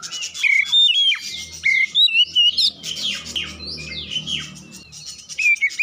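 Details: Oriental magpie-robin song used as a lure to get other birds singing: whistled notes near two to four thousand cycles alternating with rapid sliding chirps, with a faint low hum beneath.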